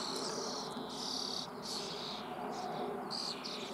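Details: Young starlings fed in a tree-hole nest, Eifel near Büchel, Germany: high, hissing rasps in overlapping bursts above a constant loud background hiss and rumble.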